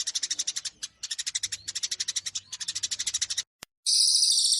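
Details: Eurasian tree sparrows fighting, a Cililin-combination training sequence: bursts of rapid, harsh, high chips come in three runs split by short breaks, then silence, then a smoother, clearer chatter, over a faint low hum.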